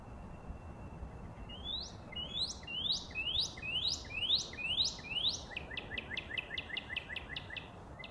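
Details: Northern cardinal singing a loud series of clear whistles, each rising steeply, repeated about twice a second, then a quicker run of short, even notes; quiet background hiss.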